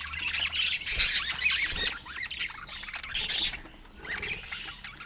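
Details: Budgerigars chirping: dense bursts of high, scratchy warbling and squawky chatter, loudest near one second and again around three seconds, with quieter chatter between.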